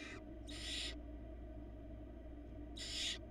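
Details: Barn owl nestling on a Florida nest camera, old enough to feed alone on small bits of prey. Three coarse hissing bursts, a short one at the start, a longer one shortly after, and another near the close, over low hum.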